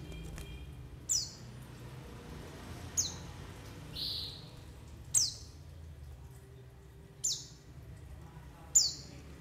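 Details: White-eye calls used as a lure to set other white-eyes calling and to trap them, with forest and flock ambience: five high, sharp chirps sliding steeply downward, spaced about two seconds apart, with one buzzy note, over a low steady rumble.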